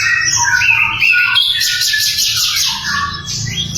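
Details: Sikatan londo flycatcher in loud, clear song, used to train magpie-robins and other songbirds: varied whistled phrases at mid and high pitch mixed with rapid scratchy chirps.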